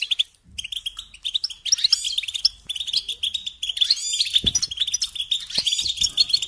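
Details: European goldfinch song played as a tutor recording for training young birds to sing: a fast, continuous twitter of bright, tinkling notes with buzzy trills and short rising flourishes, almost without pause over six seconds.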